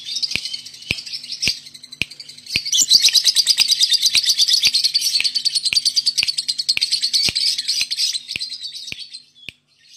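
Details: Male lovebird in a cage in Indonesia giving fast, shrill chatter that builds into a steady, pulsing trill of about three notes per second. The trill fades near the end, with sharp clicks throughout.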